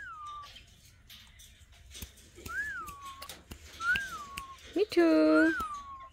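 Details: Alexandrine parakeets, pets sitting together, give several rising-then-falling whistles separated by clicks, ending with a louder, richer voiced note layered with strong overtones.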